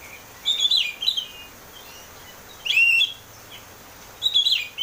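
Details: Oriental magpie-robin singing to coax a cage bird into song: three loud, scratchy warbled phrases spaced about two seconds apart over steady background hiss.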